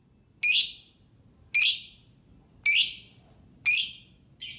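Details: Lovebird call meant to draw other lovebirds into singing: four loud, sharp high chirps, each dropping quickly and fading, spaced about a second apart, over a thin constant high-pitched tone.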